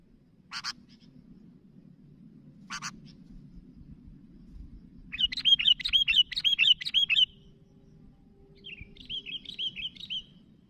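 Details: Sooty-headed bulbul calling to its companions: two sharp clicks, then a fast run of bubbly, warbling notes for about two seconds and a softer, shorter burst of similar chatter near the end, over a low background hum.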